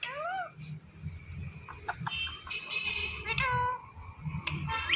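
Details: A talking Indian ringneck parrot makes a curved, meow-like note, then buzzy calls and a falling whistle. A person repeatedly says a meow sound nearby over steady background hum.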